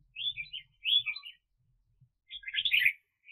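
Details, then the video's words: Decoy red-whiskered bulbul for trapping in 2021 sings two quick, chirpy warbled phrases close together. A gap follows, then a longer, denser, tumbling phrase. Soft low knocks sit in the background. "Chào Mào Mồi"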